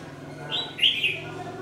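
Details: A single brief, bright warbled phrase from a red-whiskered bulbul used as a decoy for trapping at dusk on 27 November 2018, rising then falling, over a faint low hum.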